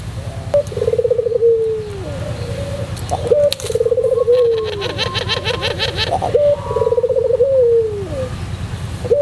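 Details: White Barbary dove of the pelung type singing: repeated phrases of rapid bubbling coos easing into long falling notes, with a burst of fast, rhythmic, buzzy pulsing sounds in the middle.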